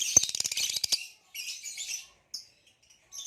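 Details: Male green hybrid Lilian's lovebird, ringed, opens with a fast clicky stutter of high chirps, then a buzzy, scratchy chatter, a pause, and short sharp chirps.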